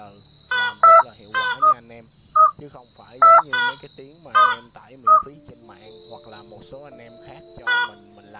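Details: White-breasted waterhen lure recording, used for night netting during the March 2023 bird migration season: harsh, nasal croaking notes in short bursts, roughly every second, over a steady thin high hum.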